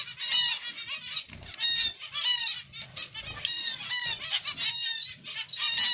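Zebra finch song: a quick run of nasal, toy-trumpet beeps and buzzy notes, repeated without pause, high and bright.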